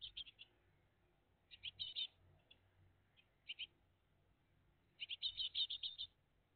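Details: High rapid chirp bursts from a great tit family at their nest on an early June 2023 morning. Four clusters of fast twittering notes are separated by pauses, and the last cluster is the longest.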